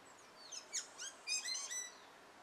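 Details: Courting male Carib grackle singing to his mate, giving a jumble of sharp high downward-sweeping notes and squeaky whistles, with a denser burst of crackling high notes near the end.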